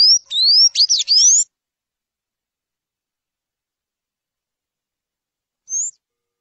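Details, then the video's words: Sayaca tanager (sanhaço azul) singing a quick burst of high, squeaky, rising notes for about a second and a half; after a long silence, one more thin note follows. "Sanhaço Azul Cantando"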